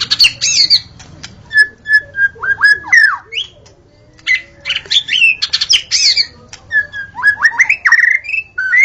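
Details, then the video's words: White-rumped shama singing gacor in the forest. It gives a long, varied medley of steady whistled notes, rising slurs, scratchy high chatter and quick sweeping phrases, repeated in loud bursts separated by short pauses. "Murai Batu Auto Gacor: Simak Suara Asli di Hutan"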